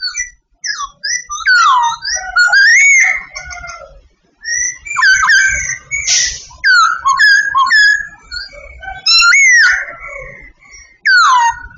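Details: Sooty babbler, a Vietnamese babbler, singing a long string of whistles: falling slurs, rising flicks and a burst of harsh rasping notes midway, phrases spaced by short gaps.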